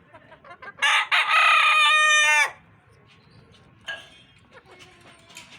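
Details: A rooster crows loudly once, a strident call of about one and a half seconds that drops in pitch at the close, followed by soft clucking and scattered noises.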